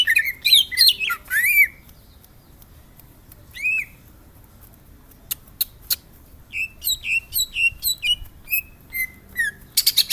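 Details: Greater green leafbird (Chloropsis sonnerati) sings a varied run of high, rich whistles, slurred chirps and buzzy notes in quick bursts, with pauses between phrases.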